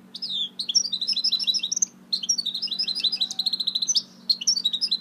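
A goldfinch mule sings fast, bright twittering phrases of high chirps and trills in three bursts with brief pauses, over a low steady indoor hum.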